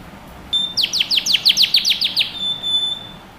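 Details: Canary singing for young birds to learn from: a thin steady whistle, a burst of about a dozen quick sharp descending notes, then the whistle again, softer and somewhat distant.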